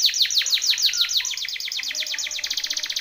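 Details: Timbrado canary training song: a fast, regular series of sharp descending metallic notes, repeated several times a second, ringing and bright throughout.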